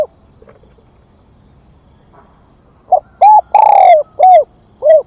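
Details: Decoy spotted dove calling to draw in wild birds: after near silence, one phrase of mellow coos, a brief opening note, a rounded coo, a long downward-sliding coo, then two shorter closing coos.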